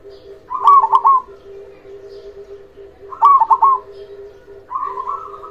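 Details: Local zebra dove, loud and persistent, singing to coax silent doves into calling; two clipped bursts of quick bubbling coos about 2.5 seconds apart, then a fainter rolling phrase, over a constant low cooing background.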